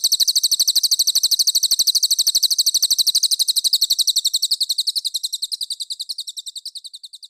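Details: Cililin master song for competition training: an unbroken, rapid, shrill trill of repeated high notes that gradually fades in loudness over about seven seconds.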